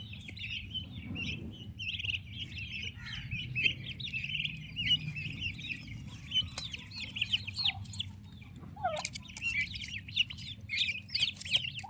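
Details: Turkey chicks in their mother's care give high, piping peeps alongside a few lower calls. Scattered clicks and knocks are heard, and the chatter swells toward the end.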